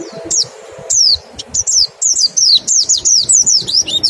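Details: Mountain white-eye singing in the 'nembak' style, used as a lure to make birds sing quickly: a rapid string of high, thin, down-slurred whistled notes, about three per second, after a short pause near the start.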